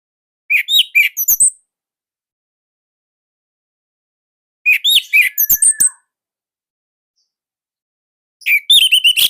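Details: Indonesian orange-headed thrush singing a loud, tightly packed song used to coax other birds into singing. Three short bursts of quick, high chirping notes come about four seconds apart, with silence between them.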